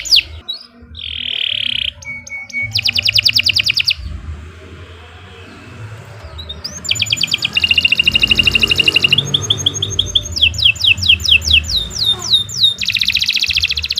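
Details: Canary in long, energetic song, used as a tutor recording for training other birds: bursts of rapid, high clicking trills alternate with whistled notes, a short pause midway, then fast rolling phrases of repeated sweeping notes, over a low hum.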